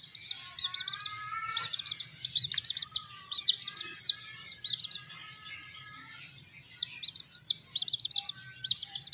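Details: A group of little hen chicks peeps continuously, with bright arched notes in quick clusters, a brief lull near the middle, then renewed bursts; faint lower trilling notes sound in the first seconds.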